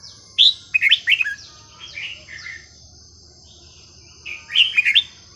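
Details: Caged red-whiskered bulbul song, varied melodious phrasing meant for tutoring young birds: clustered liquid warbles at the start, softer falling notes in the middle, and another bubbly phrase near the end, with a constant thin high hum behind.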